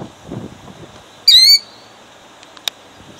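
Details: One sharp, high, quavering cry from a killdeer guarding her eggs at Jackson, New Jersey, 2008, amid low rustling and a brief click.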